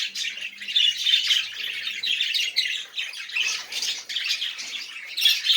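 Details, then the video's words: Budgerigars singing, played to encourage silent budgies to sing: continuous scratchy warbling chatter with squawky notes and brief clicks, dense and unbroken throughout. "muhabbet kuş sesi ötmeyen muhabbet kalmasın"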